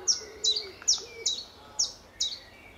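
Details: Common chiffchaff singing on an early March 2014 morning at Standalone Farm, Letchworth, beside the garden city greenway. Six high, downward-sliding notes come at roughly 0.4-second intervals, squeaky like a bike wheel, over faint background hum.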